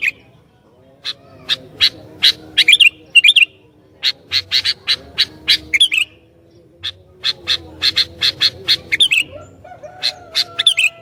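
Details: Sooty-headed bulbul in full voice, known for provoking other bulbuls: long series of sharp repeated chirps in bursts, mixed with short warbled phrases, with a faint low hum beneath.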